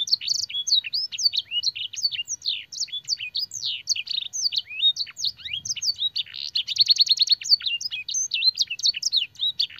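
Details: Training song of a canary filled with blackthroat and sanger phrases: rapid high chirps and slurred notes, then a quick evenly spaced trill near the middle, resuming varied twittering to the end.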